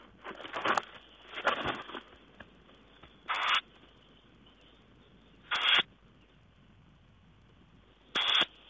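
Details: Tawny owl on 4 June 2010 giving harsh, wheezy screeches: two ragged ones early, then three sharper, even bursts roughly every two and a half seconds, with low hiss between.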